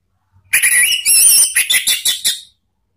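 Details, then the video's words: Orange-headed thrush lure song for cage birds, ngeplong style: a sustained whistled note, then wavering warbles, then six quick clipped notes in a fading run. "memancing ANIS MERAH BUNYI NGEPLONG ¦ PANCINGAN KICAUAN ¦ NGERIWIK"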